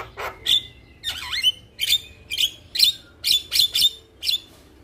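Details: Male Javan myna singing to get other mynas to join in; squawky, buzzy phrases with whistled tops repeat about twice a second in short separate bursts.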